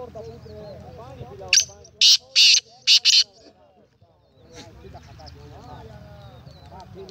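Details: Black francolin (kala teetar) recorded 19 April 2020, uttering a tight series of four loud, harsh scratchy notes around the two-second mark, with music and murmuring in the background.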